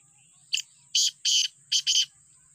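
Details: Black francolin calling: a short harsh note, then two loud grating bursts, a pause, and two more rasping bursts, all coarse and broadband against a steady faint high hum.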